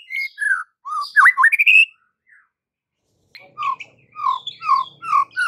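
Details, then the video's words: White-rumped shama song from a training recording for caged shamas: varied whistles and squawky chirps, a pause, then a string of paired whistled notes repeated about every half second. "Murai Batu anda langsung NGAMUK - NGAMUK & MUNTAHIN ISIAN dengar MASTERAN ini"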